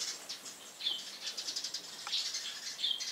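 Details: Eurasian tree sparrow on a rooftop in the morning, giving loud cheerful chirps: short high notes scattered across three seconds, with a few clearer downslurred tweets standing out.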